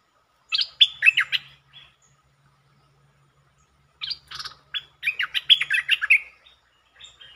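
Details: Streak-eared bulbul song recorded 13/02/2023: two quick bursts of bright, bubbling chirps that jump up and down in pitch, separated by a pause of about two seconds.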